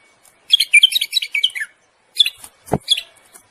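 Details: A bulbul sings to stimulate a female toward breeding, a quick string of clear, descending whistled notes, a pause, then a shorter repeat of the same bright phrase with a sharp knock between.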